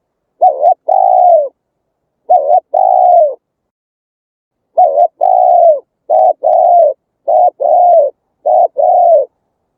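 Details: Spotted dove from the Vietnamese countryside, played through a loudspeaker trap to lure wild birds, giving deep, warm, rhythmic coos: paired phrases, each a short note then a longer falling one, repeated steadily every second or two in silence.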